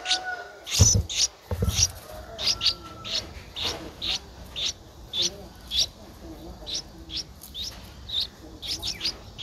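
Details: Nestling Streak-eared Bulbul, 11 days old, Ubon Ratchathani, Thailand, 13 April 2023, keeps up brief, high, scratchy begging chirps at an uneven pace, with a couple of low thumps near the start.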